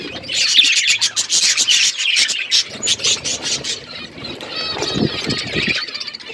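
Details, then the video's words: Many budgies in an outdoor aviary chatter in rapid, buzzy chirps, loud at first, then softer warbling with a few lower rumbling sounds. "Budgies flocks in outdoor aviary budgies colour budgies chirping sounds"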